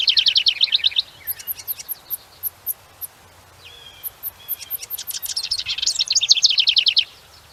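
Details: House wren song, the male being the more vocal sex: loud, insistent series of variable notes, opening with a rapid buzzy trill, then spaced high ticks, a slurred whistle, and a closing fast bubbling trill.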